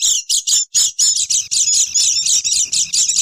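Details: Noisy chorus of Oriental white-eyes used as a lure for wild birds: sharp, high chirps in bursts roughly every half second, growing into continuous overlapping twittering.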